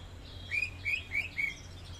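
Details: Greater green leafbird from Kalimantan in full song, giving four bright, short whistled notes in quick even rhythm, each slurring slightly upward, with faint background hiss.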